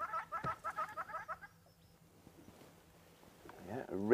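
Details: Red-billed hornbill calling from a tree during a sunset safari drive on July 11, 2016, making lots of noise: a quick run of about eight nasal, clucking notes, several per second, then a pause and a burst of human voice.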